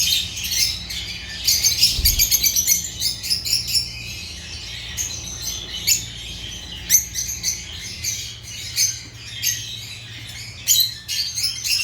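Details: Agapornis lovebirds chirping in a lively flock, quick trains of sharp high chirps and squawks with brief pauses, and a dull knock near two seconds.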